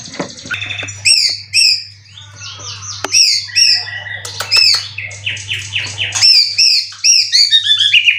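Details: Prize-winning caged white-rumped shama, Indonesia, three moults and in 90% condition, delivering 'cililin' song material: a dense stream of sharp high chirps, clicks and rising whistled notes in fast bursts, with a faint hum behind.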